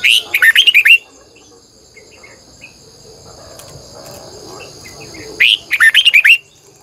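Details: Morning song of a red-whiskered bulbul lure bird, long double-twisting style for calling wild birds: two fast, bright phrases of about eight warbled notes each, about four seconds apart, with a faint insect-like hum between.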